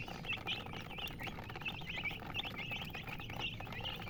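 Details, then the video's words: Colour chickens giving rapid, repeated short chirps, high thin upward-flicking peeps from several birds overlapping steadily over low rumbling background noise. "silly chicken chirping sounds with murgi hen color chicken"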